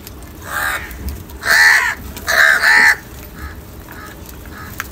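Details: Crows among a large group, fighting over and eating salty food: one hoarse caw, then three loud harsh caws in quick succession, followed by fainter distant caws.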